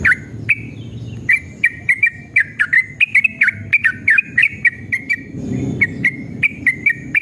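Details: Yellow-vented bulbul song played to trigger caged birds to sing: a long lively run of loud, short whistled notes, many with downward slurs, delivered several per second, with low rumbling noise in the background.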